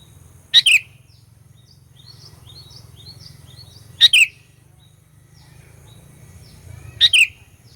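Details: Sooty-headed bulbul lure song in a 'gacor fighter' style to provoke rivals: three crisp two-note whistled phrases roughly three seconds apart, with soft twittering from other birds in the background and a constant low hum.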